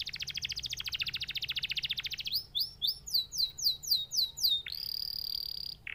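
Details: Canary song opening with a rapid buzzy trill, then switching to a series of sharp rising-falling whistled notes about twice a second, ending in a steady high bright tone.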